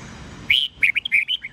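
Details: A red-whiskered bulbul sings an old-forest voice morning phrase of 8 to 10 notes, played to teach young birds: one drawn-out whistle followed by quick, bouncy chirps rising and dropping in pitch.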